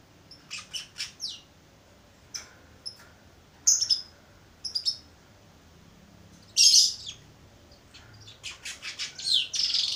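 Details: Young Baya weaver learning its song: scattered short, high chirps and buzzy bursts in irregular bouts separated by pauses, with a louder harsh burst midway.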